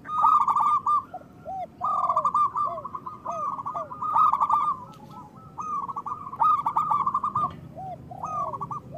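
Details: Local zebra doves singing, meant to lure doves into song and help them sing after moulting: repeated phrases of rapid chattering coos with lower arched notes, separated by short gaps.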